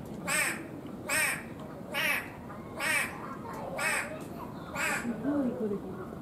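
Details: Toco toucan at Ueno Zoo in Tokyo, Japan; hoarse, croaking calls repeated roughly once a second, six in a row, then softer murmuring sounds at the end.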